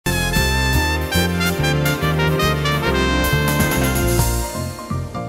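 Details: Upbeat jazzy music with brass and piano plays throughout at a steady beat, with no animal sounds.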